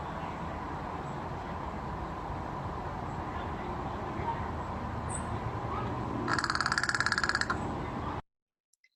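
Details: American Crow in Seattle giving its rattling, clacking call: a rapid, dry rattle of clacking notes lasting about a second, after a stretch of steady low background hum.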